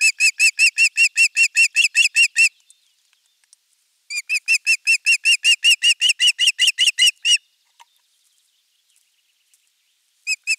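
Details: Osprey calling at nest 3 on a Finnish nest camera, 23 June 2020 morning, when a half-kilo crucian carp is brought; two long bursts of rapid, piercing whistled notes, each about three seconds, separated by silence, then a brief final burst.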